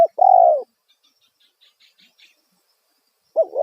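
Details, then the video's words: Spotted dove lure call to attract wild doves: a loud, low hollow coo, then a pause with faint distant chirps, and another coo beginning at the end. "Panggilan suara tekukur kuk satu suara lantang auto burung liar respon"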